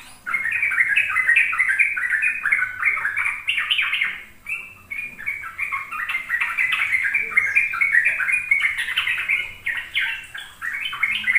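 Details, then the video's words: Long ropel song from a sooty-headed bulbul, meant to prompt young birds to learn. A fast stream of warbling mid-pitched notes runs on with a single short break near the start. "Pancingan trucuk agar trucukan BAHAN PAUD ikut belajar ropel"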